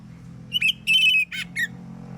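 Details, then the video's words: Brief morning phrase from an Oriental magpie-robin singing to make other magpie-robins respond: a flicked whistle, a sustained high whistled note with buzzy overtones, a rough burst and a short dropping whistle, with faint low hum. "KACER gacor NGEPLONG di pagi hari BUAT KACER lain NYAUT"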